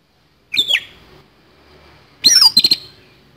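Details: Kacer, the oriental magpie-robin, giving fighting song with rough fill: a short harsh whistled squawk, then after a pause a loud burst of high notes and quick rattling stutters.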